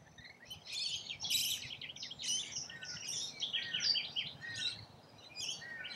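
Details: Feeding rainbow lorikeets in Australia give shrill, scratchy chirps and squeaks. The notes come in uneven clusters from several birds at once, with short pauses between the louder bursts.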